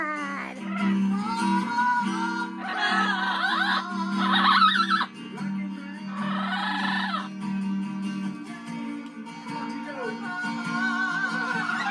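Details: Music with guitar and voices plays throughout, with no clear animal calls.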